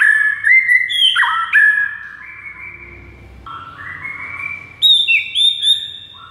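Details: Master song of a white-rumped shama to spur mute birds into song: varied whistles with sharp upslurs, falling glides and a drawn-out mellow note, ending in lively high phrases, faint hum behind.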